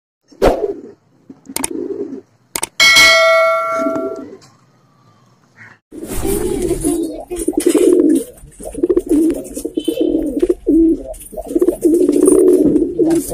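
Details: Pigeons kept in Jamner, Jalgaon, Maharashtra, India; after a few clicks and a brief musical tone, low throaty cooing repeats in bursts, several rolling coos overlapping through the second half.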